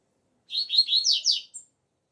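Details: Double-collared seedeater singing outdoors, the song style called tuí tuí zeo zeo: a short 1.2-second phrase of five quick buzzy descending notes high-pitched, ending in a brief thin note, otherwise quiet.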